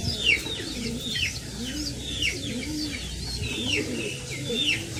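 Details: Pigeon chicks being fed by their parents: a stream of thin, high squeaks, each sliding downward, repeated several times a second, over soft low arched cooing notes in the background.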